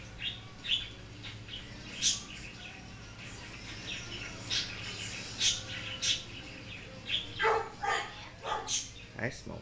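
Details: Pet African grey parrot making assorted noises: a busy run of short squeaks, clicks and chirpy high notes in uneven bursts, with some lower rough sounds near the end.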